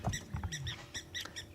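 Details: Blacksmith lapwings shout at each other at Arathusa dam, Sabi Sands, South Africa, at sunrise on 18 June 2016, near a feeding female bushbuck. Sharp metallic clinks like a hammer on an anvil, five or six in quick succession, over a low voice at the start.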